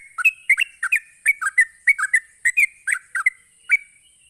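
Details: Fast, excitable song of a sooty-headed bulbul, used to stir other bulbuls into calling back: bouncy paired notes, liquid and slurred, tumbling steadily for four seconds with a faint constant hiss behind.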